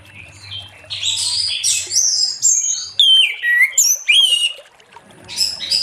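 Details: Orange-headed thrush singing in the late afternoon to set other thrushes singing; buzzy high phrases give way to clear downward-slurred whistles and sharp clicks, with a faint low hum.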